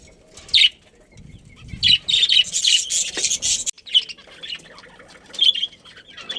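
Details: Budgerigars of a breeding colony giving sharp, high chirps in scattered clusters, separated by quiet pauses, with a burst of louder squeaky chatter and some fluttering in between.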